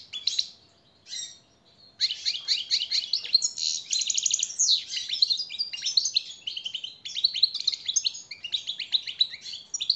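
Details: Training song of a European goldfinch for captive birds, a long, continuous, rapid twittering with buzzy trills and sweeping notes after two brief opening phrases, steady and loud throughout.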